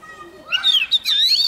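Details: Oriental magpie-robin, young, singing eagerly with a wild bird nearby: a brief, smooth warbled whistle that rises, dips and levels out into a sustained bright note.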